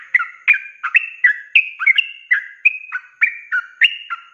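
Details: Sooty-headed bulbul in lively ropelan song, a master recording for cage birds: rapid, jerky whistled notes jumping between two pitch levels, roughly three per second, with nothing else audible.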